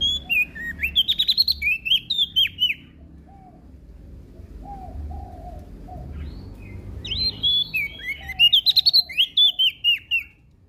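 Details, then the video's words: Prinia from Lombok singing actively, said to provoke other birds. Two bursts of quick, slurred, high whistled notes with a jerky up-down pattern, separated by a quiet gap with faint low chirps. "Prenjak daun Lombok Gacor Bikin Emosi Burung Lain"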